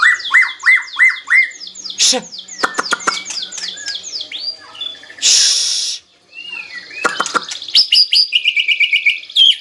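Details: Medan white-rumped shama in full song: quick runs of repeated rising whistled notes, then a sequence of sharp clicks, a brief harsh rushing burst, and more bright varied whistles and trills.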